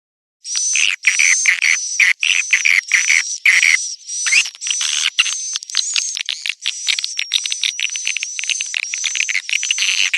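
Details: Swiftlets calling the young: dense, fast twittering chirps in quick bursts, with a thin, steady high whistle running over them almost throughout.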